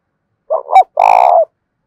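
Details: Spotted dove decoy giving one close, loud fighting-challenge coo in thổ đồng style: a rough two-part opening followed by a long, buzzy, evenly pulsed coo.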